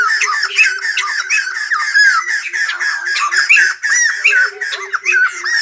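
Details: ['White-crested laughingthrush song during a dancing display: dense, raucous laughing chatter with squeaky rising notes, over a steady train of low pulsed hoots from another bird in the background.']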